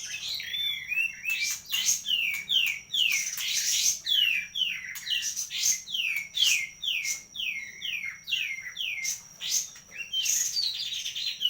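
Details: Medan kapas tembak song: a rapid series of sharp downward-sliding whistled notes, about two per second, with bursts of chatter over a constant high-pitched background whine.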